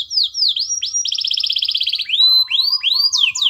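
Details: Canary master song meant to spur other canaries to sing: arching whistled swoops, a quick bright trill, then more rising-and-falling slurred notes over a faint steady low tone.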